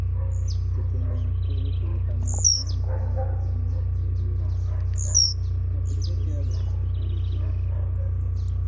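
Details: Blue-black grassquit in a singing tournament, a jumping type: high thin ticks run fast and steady, broken by two falling buzzy phrases near the middle. A constant low hum underlies everything.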